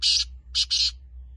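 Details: Short phrase from a black francolin: one rasping note, then a brief gap and two joined scratchy notes, with faint low hum underneath.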